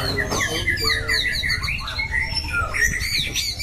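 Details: White-rumped shama kept as a competition bird, praised for a loud voice and switching phrases, producing a varied mix of whistles and scratchy notes amid low background noise.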